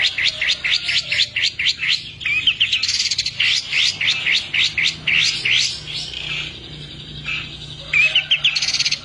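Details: Long-tailed shrike delivering a full, lively song with rich material: a long series of rising sweeping whistles, roughly two per second, with buzzy trills between them and scratchy twitters toward the close.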